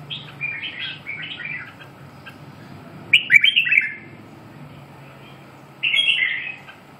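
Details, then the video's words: Red-whiskered bulbul singing: short bursts of bright warbled notes, a soft phrase early, then a loud fluty burst near the middle and another at the end, with quiet gaps and a faint low hum beneath. "Kênh về chim Chào mào"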